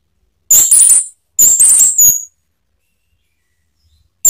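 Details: Male orange-headed thrush (anis merah) giving high, thin, rapidly modulated squeaky phrases in two bursts of about one second each, separated by short silences.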